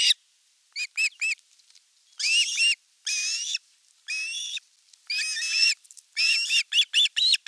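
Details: Ospreys at a nest in the Satakunta region of Western Finland, 5 August 2024, as the elder chick attacks the younger during fish delivery: scattered bursts of high, sharp whistled chirps alternating with longer harsh, buzzy squeals, with short silences between.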